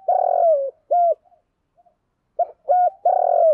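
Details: Decoy spotted dove cooing to entice wild doves: a long rolling coo sinking at its end, a shorter hollow note, a gap with faint murmurs, then a quick note, flat coo and another long burred coo.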